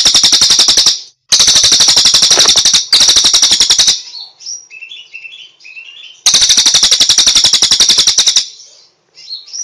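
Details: Cililin delivering machine-gun-like bursts of rapid high notes, with softer chirps and short twittering phrases in the gaps between bursts.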